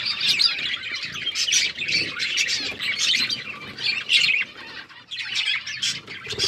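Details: Budgies feeding on seeds: nonstop overlapping high chirps and scratchy warbling from a group of birds, rising and falling in short waves.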